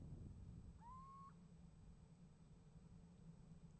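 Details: One clear upslurred, mewing call from a little owl at a nest box, recorded 28 January 2015 while calling and receiving an answer, followed by quiet low-frequency hum.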